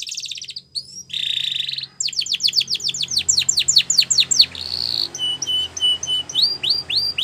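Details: Spanish Timbrado canary training song: a short buzzy roll, then a long rapid run of falling whistled sweeps, a brief rolled trill, and evenly spaced rising notes.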